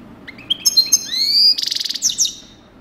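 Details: Coupleur European goldfinch delivering a quick run of high chirps that slide into a rising whistled note, then a dense buzzy trill and final sharp twittering notes, over faint low background hum.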